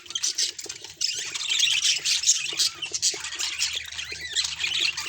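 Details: Budgerigar warbling in a dense, continuous stream of high, scratchy chirps and squawky notes, with bursts of louder twittering throughout and a faint low hum underneath.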